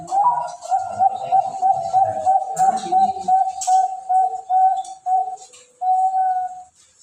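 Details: One-year-old male zebra dove ringed in Bogor, singing in the "cristal cowong" style with a nice rhythm but sometimes unstable delivery. It gives a long even series of clear, level coos, roughly a dozen, with faint clattering behind.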